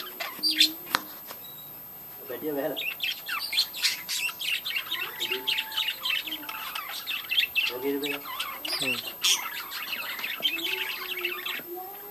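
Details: Budgie breeding colony: busy high chirps and warbling from many birds, with a couple of lower, voice-like harmonic phrases standing out amid the chatter.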